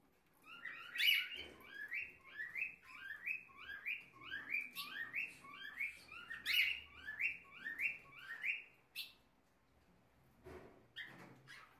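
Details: Blue-black grosbeak pair caring for their chicks at a breeding aviary in Belo Horizonte, Minas Gerais: a fast run of sharp, slurred chirps, about two per second, rising and falling, then a few scattered notes after a short pause.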